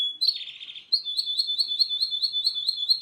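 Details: Russian canary song opening with a buzzy rolled phrase, then breaking into a rapid, evenly paced trill of high, pure whistled notes that runs steadily on.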